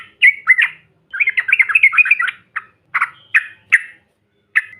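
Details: Yellow-vented bulbul lure call: a short warbled phrase, then a fast rattling run of jumbled liquid notes, followed by spaced single harsh chirps.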